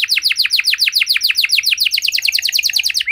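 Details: Canary in full, long-running song with special variations, meant to prompt silent canaries to sing; a steady high series of falling slurred notes, roughly seven per second, runs throughout.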